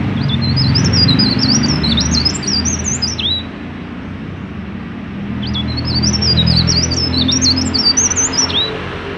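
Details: A prolific mountain leaf warbler, recorded as a lure to get other leaf warblers singing, gives two three-second bursts of high, tumbling, zigzag whistles that end in a downward flick. A steady low rumble runs beneath.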